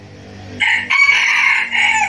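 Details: Decoy red junglefowl rooster crowing to lure wild roosters, crowing style called thổ, đồng or ực ờ locally. A raspy, sustained crow of about one and a half seconds rises out of a steady low background hum.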